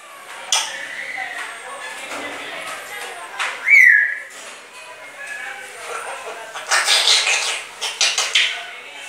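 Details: Indoor grey parrot just after a bath, known to say phrases such as "kia hua" and to cough; murmured speech-like sounds lead to one sharp up-and-down whistle, followed by harsh broadband bursts like coughs or rasping chatter.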